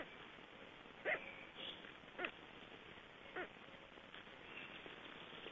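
Black stork chicks calling from inside the eggs: a few brief, hoarse squeaks at irregular intervals of about a second, over a steady background hiss.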